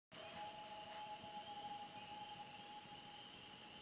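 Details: Common loon on Big Dam Lake, Kejimkujik park, Canada, at night: a long, steady, mellow whistled note at one pitch, over a faint high hum of night insects.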